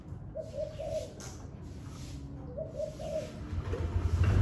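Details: Spotted dove on a very windy day, giving two short pairs of soft, slightly rising coos, heard over heavy low wind rumble.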